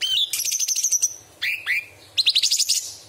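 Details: A bulbul (cucak cungkok) in full song sings bright, rapid chattering phrases high in pitch, broken by two swooping whistled notes, then another fast burst of sharp chips.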